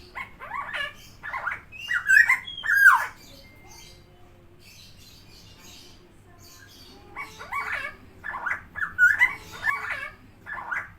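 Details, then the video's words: Tame, vocal helmeted friarbird (koak kao or cucak timor) gives bursts of rapid harsh, nasal notes. It falls quiet for several seconds midway, then resumes a choppy series of similar calls. "KOAK KAO/CUCAK TIMOR (Philemon buceroides) GACOR JINAK + SUARA UNIK"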